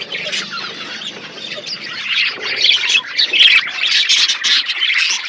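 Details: Many parakeets eat in an outdoor aviary, their high scratchy chirps and warbles building steadily louder through the recording.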